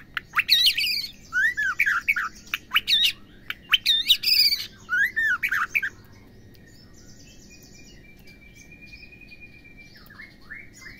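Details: Female white-rumped shama whose calls are meant to make males sing: loud, sweeping whistled phrases with sharp upward and downward slurs, repeated in bursts for six seconds, then quiet with a faint thin note and soft chirps.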